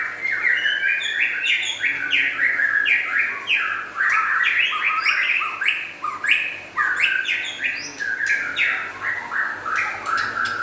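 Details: White-rumped shama song, described as local and forest birds, in a fast continuous run of stepped whistles and chattering notes, with rising and falling phrases crowded closely together.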